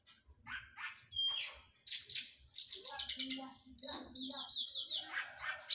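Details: Oriental magpie-robin in physical training after moulting sings loud, scratchy trills and bright chips, ending in a run of rapid looping notes, over faint low background noise.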